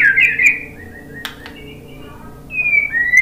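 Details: White-rumped shama singing to provoke other birds: a bright warbled phrase, a soft pause with faint clicks and low whistles, then a clear falling whistled note.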